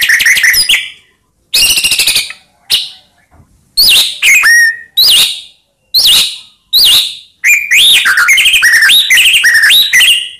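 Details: White-rumped shama lure song aimed at provoking rival shamas: spaced bursts of sharp downslurred notes and short whistled phrases, building to a rapid continuous run of rising whistles and chatter.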